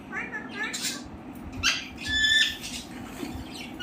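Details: Talking parrot producing short speech-like mimicked syllables, a brief harmonic phrase at the start followed by breathy hisses and a bright whistled tone around two seconds, over a constant low background hum.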